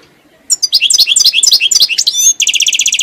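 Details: European goldfinch singing: rapid twittering run of sharp, high, falling and rising notes, then a fast buzzy trill of repeated notes at the end, clear and close with a quiet background.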